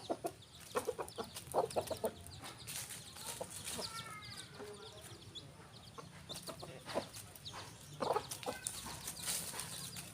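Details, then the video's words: Rooster and hen on a farm give repeated short clucks in loose groups, mixed with a few drawn-out harmonic notes and human voices nearby. "rooster & hen farm animal renewal part 60"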